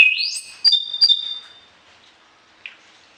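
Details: Orange-headed thrush singing a varied song, kept for training other birds in the morning and evening. A clear whistle sweeps upward, followed by two sharp bright notes, then the phrase trails off into quiet with one faint later chip.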